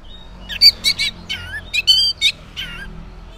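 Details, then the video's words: Orange-headed thrush in the morning, song used to draw answers from silent males: a run of harsh, chattering high notes and falling whistles in quick bursts. "Cocok Buat Pancingan ANIS MERAH Ngeplong di Waktu Pagi Hari Yang Macet yang Bisu Kalo Jantan Nyaut.."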